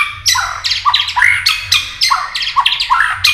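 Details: White-rumped shama in a fighting mood with tail-flicking, used to rouse birds to contest singing: loud, harsh, rasping notes repeated about every half second, with scratchy chatter between them.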